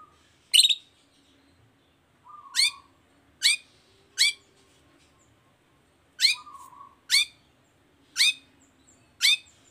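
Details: Long-tailed shrike calling, played as a lure to set other shrikes singing: short, sharp, upswept notes spaced irregularly about a second apart, with a brief low flat whistle before some notes.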